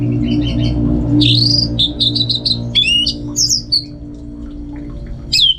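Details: Contest-kept orange-headed thrush from northern Bali delivers a varied run of sharp whistled phrases, rising slurs and clipped chirps, several notes sweeping upward, over a constant low electrical hum.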